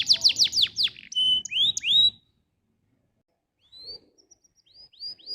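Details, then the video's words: Canary tutor song meant to get canaries singing: a fast series of steep downslurred notes, then steady whistled tones and rising sweeps, a pause of silence, and softer repeated upslurs at the end. "MASTERAN AMPUH BANYAK BURUNG KENARI CEPAT BUNYI GACOR DENGAN SUARA KENARI INI"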